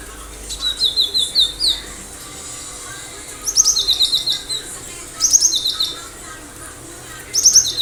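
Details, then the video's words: Cinereous tit in full song: repeated phrases of quick high sharp notes followed by runs of lower, evenly spaced whistled notes, four phrases in a row about one and a half seconds apart. "Gelatik batu gacor"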